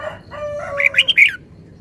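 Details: Red-whiskered bulbul singing one quick phrase of four or five sharp, clear notes jumping up and down. A lower, drawn-out fowl-like tone comes just before it.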